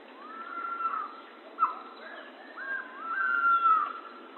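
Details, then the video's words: Pavonine quetzal giving long mellow whistles that rise and then fall away, separated by a brief sharp note and a looping wavering whistle, on a quiet background. "Canto do pássaro quetzal-pavão"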